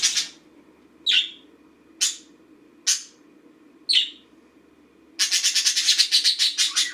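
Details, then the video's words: A green pet budgerigar during its daily routine gives five short, sharp chirps about one second apart, then a quick run of rapid, buzzy twittering notes. A low steady hum sits underneath. "Green budgie routine"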